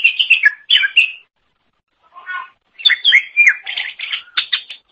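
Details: Greater green leafbird song, known as cucak ijo, recorded as training material for other songbirds: sweet descending whistles, a short gap with a soft mewing note, then dense overlapping chirps and whistles.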